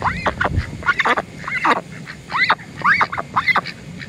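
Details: Pekin hen begging to be fed with a rapid run of squeaky, arched calls, roughly two per second, each rising sharply then dropping, over faint low background noise.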